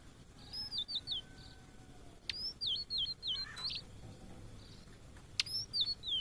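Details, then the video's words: Blue-and-white flycatcher, a migrant often seen in Indonesia, singing short clear whistled phrases with slurred, wavering notes, separated by brief pauses, plus a few sharp clicks over a faint steady background hiss. "Tledekan Laut Gacor Plong (Cyanoptila Cyanomelana)"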